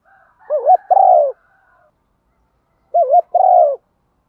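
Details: Female spotted dove calling males: two identical two-part phrases, a short wavering coo followed by a longer, buzzy falling note, spaced about two and a half seconds apart.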